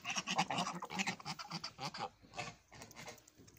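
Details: Evening geese giving a rapid run of short, nasal, harmonic calls, about two per second, in an uneven chattering sequence that slows and fades toward the end.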